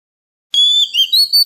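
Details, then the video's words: Oriental magpie-robin in the 'forest voice' song style, played to train young birds and stir wild-caught birds into singing: after half a second of silence, clear, high, sustained whistled notes with slight pitch shifts, in three or four linked phrases. "Luyện giọng chim non kích chim bổi hót mỗi ngày với giọng rừng cực chuẩn | Kích Choè Than Hót"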